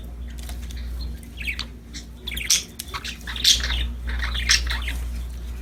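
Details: Budgerigars, described as happy and playing, give soft warbled chirps building to sharper squawky notes about once a second over a loud steady low hum.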